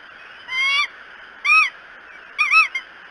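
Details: Bald eagle at the Decorah nest on the morning of 13 May 2018: three separate drawn-out, wavering, slightly rising-and-falling whistled notes about a second apart, over steady background hiss.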